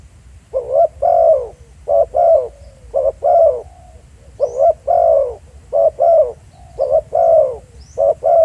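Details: In a real field setting at Pha Sing, a spotted dove coos in quick hoarse pairs, short then long. The pairs follow one another closely, with faint softer coos between them.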